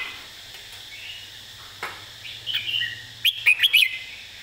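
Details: Red-whiskered bulbul giving a simple model song phrase for bird training: faint warbling, then a fast, bouncy series of five bright whistled notes near the end.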